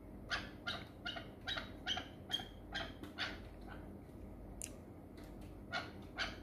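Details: A hunting chukar partridge of the Pamir calls with fairly soft, repeated clucks at a brisk, uneven pace, with a faint hiss beneath and a few sharper notes near the end.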